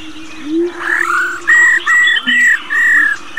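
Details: Female black-throated laughingthrush, old and wild-caught, calls 'rò' to spur males into singing: a rising slurred note, then four harsh buzzy bursts in quick succession over a low continuous hum.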